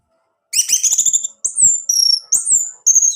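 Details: Song of an orange-headed thrush meant to trigger a male's singing: a rich buzzy chattering burst, then a series of high, smoothly falling whistles in quick succession.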